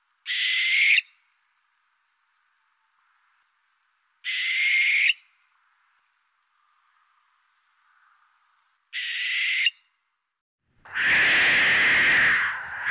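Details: A barn owl at night in rural Ohio gives three harsh, hissing screeches about four seconds apart, then a longer, rougher screech with a low rumble at the end.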